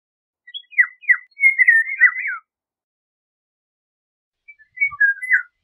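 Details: Eurasian golden oriole pouring out a rapid run of slurred whistles and a rippling warble, then after two seconds of quiet a softer short phrase of fluty notes.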